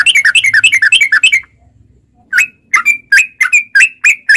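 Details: Sooty-headed bulbul lure song for caged birds, beginning with a quick bubbly chirping run, a pause, then a slower series of separate short rising whistled notes.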